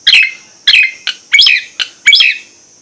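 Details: Nias hill myna giving loud, harsh broadband notes spaced about half a second apart, six bursts in under three seconds, each a sharp chattering blast.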